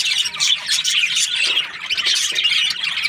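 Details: Breeding-pair budgerigars squawk and twitter together, short scratchy calls and bright chirps piling on top of each other in an even, busy stream.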